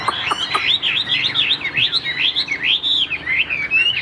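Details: Chinese hwamei of Tam Hoàng type in a cage, singing a series of rhythmic looping whistled phrases, each a quick rise and fall repeated roughly every third of a second, after a few opening clicks.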